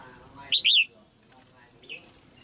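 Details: Caged female red-whiskered bulbul singing to stimulate an adult male: one short phrase of two loud, arched whistled notes, the second longer, over a quiet background.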